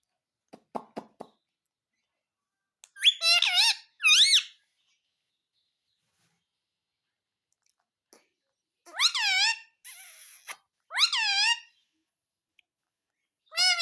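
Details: Ringneck parakeet mimicking the words "mummy papa": separate bursts of rich, wavering, voice-like syllables with long silent gaps between them, a few faint clicks at the start.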